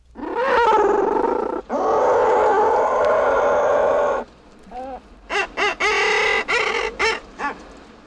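Common Murre giving two long, harsh, moaning growls, then a run of shorter rising-and-falling croaks. No other sounds are clear.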